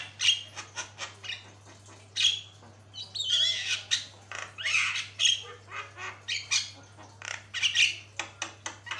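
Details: Energetic jalak kebo, or Javan myna, tutor song: continuous scratchy, grating squawks mixed with bright metallic whistled notes, bursts following quickly one after another over a constant low mains hum.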